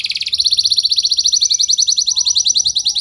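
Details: Canary song used as a lure so other canaries respond: a brief rolling burst followed by a long, very fast, even trill of high pulsed notes, steady and bright throughout.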